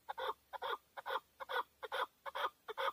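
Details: Male chukar partridge kept for hunting in Tajikistan, 2020, calling in steady doubled notes, a short chuck followed by a longer rasping one, repeated about twice a second.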